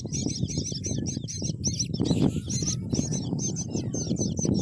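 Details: A myna feeding a green worm to her babies; rapid, high, scratchy chirps, several per second, running almost without pause over a steady low rumble.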